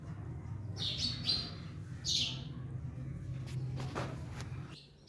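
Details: Parrots eating an orange give a few short, harsh chirping calls, one pair near the start and another a second later, over a steady low hum.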